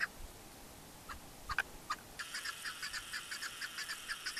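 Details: Chukar partridge in the Pamirs, Tajikistan, recorded in 2021: a few scattered short clucks, then from about two seconds a steady run of rhythmic chuck notes with bright upper overtones, roughly four to five per second.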